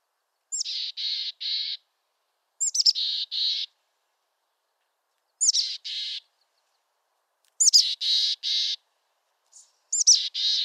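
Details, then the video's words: Mountain chickadee in western North America gives hoarse chick-a-dee calls: a thin high note, then three or four buzzy dee notes, repeated about every two seconds in an otherwise quiet setting. "Mountain Chickadee Bird Song"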